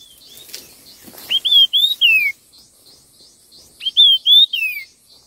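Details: Fast, fiery contest song of a red-tailed minla. Two whistled four-note phrases about two and a half seconds apart, each ending in a falling slur, with faint rustling and high chatter before the first.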